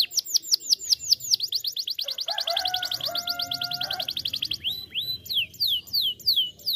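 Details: Canary song used as a lure to set other canaries singing, rapid high chirped trills that pause midway while a steady, sliding tone plays, then resume in quick downslurred notes.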